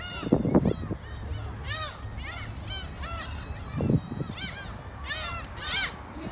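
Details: Gulls in Korea calling in a crowd: overlapping nasal, arching mewing cries rise and fall in pitch, several birds at once, with low rumbling thumps and background noise.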